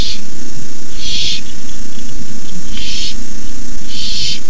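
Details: Barn owl owlets hissing at the nest at night, 9:57pm on 18 May 2015, as an adult delivers a rabbit: harsh, breathy bursts about half a second long, separated by pauses, over a steady low hum.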